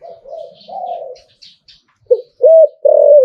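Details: Spotted dove in liu-tan style, kept by an owner: muffled low introductory coos at first, then after a pause a crisp opening note, an arched coo and a sustained loud final coo.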